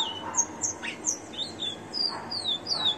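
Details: Caged, ringed rufous-collared sparrow singing: a quick run of high, thin whistled notes, several sliding downward, delivered in a steady stream of about ten short phrases over a soft, low background hum.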